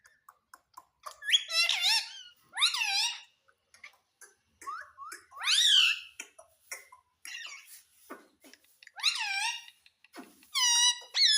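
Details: Ringneck parrot talking, said to say "mummy papa": nasal, speech-like phrases with sliding, wavering pitch, separated by short clicks and quiet gaps in a small indoor room.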